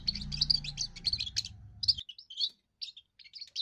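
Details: First song of a young European goldfinch, declaring territory and courting females: lively twittering, trilling phrases with a low droning hum beneath for two seconds, then short scattered chirpy bursts in quiet.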